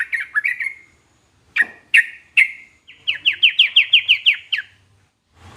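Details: Trucukan, the yellow-vented bulbul, singing a song said to prompt any trucukan to respond: a few spaced bright notes, then a rapid run of about ten sliding chirps, fading at the end.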